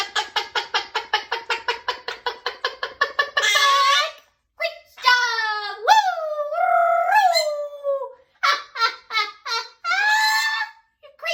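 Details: Pet parrot talking, said to repeat "smile and wave": a fast series of short clicking notes, then strained, speech-like harmonic phrases with rising and falling tones, and several quick syllables at the end.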